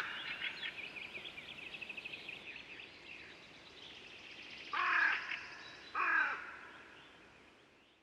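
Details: Hooded crow in an organic yard at Siikasaari, Haukipudas, Finland, gives two loud, harsh, rasping caws about a second apart, after a stretch of softer, rapid chattering notes from another bird.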